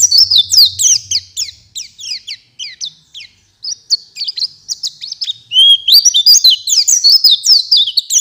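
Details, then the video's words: Oriental white-eye in full song, answered by another bird: rapid high chirps and downslurred whistles, speeding into a dense twittering warble with many quick rising and falling notes; a faint low hum at the start. "Suara Pleci Gacor Full Isian Direspon Langsung Nyahuut."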